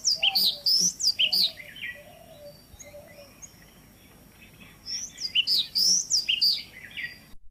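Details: Male Indian yellow tit, also called black-lored tit, during the nesting season: rapid bursts of high, bright, chattering chirps and upslurred whistles, a quieter pause with softer distant notes, then another lively burst.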